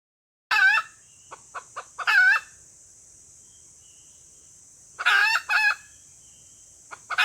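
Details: Female red junglefowl lure call used to attract males, two loud harsh cackling bursts with short clucks between, a steady high electronic hiss throughout.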